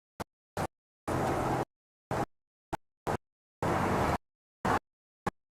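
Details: Short bursts of engine and mechanical noise, some brief and some lasting about half a second, separated by stretches of complete silence, with no animal voice.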